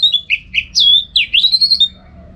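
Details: Orange-headed thrush used to train birds for song contests: a fast string of rich, sliding whistled notes rising and falling, ending in a long level high whistle.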